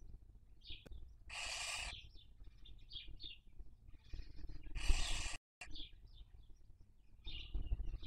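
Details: Barn owls raising young during the 2023 breeding season at a nest webcam in Cabañeros National Park, Spain; two broad rasping hisses separated by scattered high, short chirps and faint rustling.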